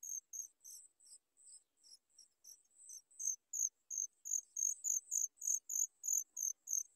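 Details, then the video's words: Young sooty chats wait a long time for their mother's food and beg with shrill, high squeaky notes in a steady series, about three a second, becoming louder and more insistent halfway through. "Sooty chat trying trying baby birds waiting for mom's food for a long time"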